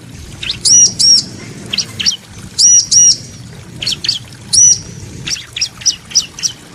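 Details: Bar-winged prinia, female and male calling back and forth: paired high sharp chips alternating with softer scratchy downward notes, over a low background rumble.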